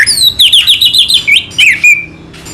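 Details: Rapid, high, trilling warble from an orange-headed thrush (anis merah) in Indonesia: fast-repeated whistled notes sliding downward, then a couple of sharp slurred notes and a thin trailing whistle.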